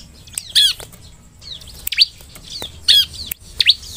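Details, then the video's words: Bar-winged prinia, called ciblek, singing as a lure to set other ciblek singing: sparse sharp chirps and short downslurred whistles spaced about a second apart, with quiet gaps between them. "SUARA CIBLEK, pancingan ciblek semi agar bunyi!"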